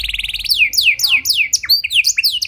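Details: Canary of the Panda type giving a rich cengkok song used to lure and train other canaries: a brief quick trill, then loud downward-sweeping whistles about every quarter second, ending in mixed chirps and short trills.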